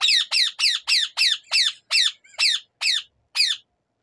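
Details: Native rose-ringed parakeet screeching: about ten loud, harsh, strongly falling calls repeated roughly every third of a second, with a brief gap before the last one. No other sounds intrude.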